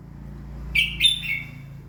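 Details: Brief morning phrase of a red-whiskered bulbul used to excite birds into song: two quick bright chirps flowing into a short trailing warble over a steady mechanical hum.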